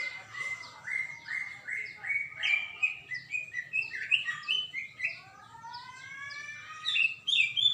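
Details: Greater green leafbird in vigorous song on 21 December 2024, a Saturday: a long, rapid run of varied chirps and slurred whistles, stepping up and down in pitch, ending in several drawn-out rising whistles and a squeaky flourish.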